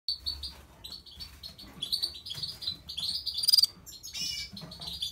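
Red-fronted serins give rapid, high, thin chirps and twitters, broken by short buzzy trills, in a near-continuous chatter, with a faint low rumble beneath.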